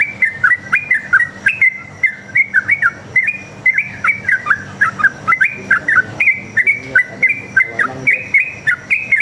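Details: Continuous rapid fighting song of a sooty-headed bulbul, meant to coax other bulbuls into answering: nine seconds of clear, bubbly whistled notes tumbling up and down in an unbroken one-line stream.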